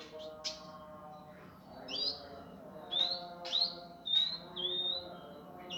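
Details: Indigo song from a master recording for training birds, in a rough, fast, dense style: sharp rising chirps and short whistled notes in uneven bursts over a steady low background hum.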